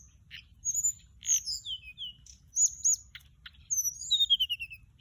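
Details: Orange-breasted, white-bellied flycatcher decoy song: high whistles mixed with buzzy notes and ticks, ending in a descending series of rapid warbled notes.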